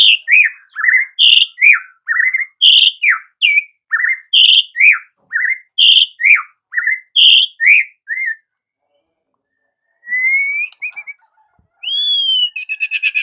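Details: Energetic white-rumped shama song for morning listening: loud rhythmic sequence of repeated whistled and sharp down-slurred notes about twice a second, a pause, then clear rising whistles and a buzzy trill.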